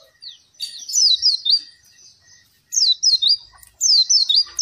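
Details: Song of an Oriental white-eye meant to draw out silent captive birds: three bursts of high, quickly falling slurred notes, each phrase of several chirps, separated by softer chatter.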